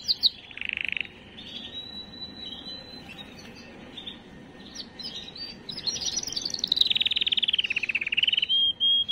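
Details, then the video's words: Canary song aimed at exciting females: a buzzy rattle, quieter scattered notes, then a loud fast descending trill and a closing whistle. "اقوى تغريد كناري للتسميع وتجهيز وتهييج الاناث"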